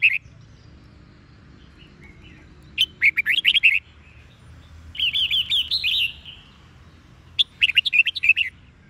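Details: Wild-caught red-whiskered bulbul in the Sông Kôn song style with double-twist notes, morning song used to train captive birds. Three bursts of loud, rapid, liquid warbled phrases, each about a second long, separated by quiet pauses.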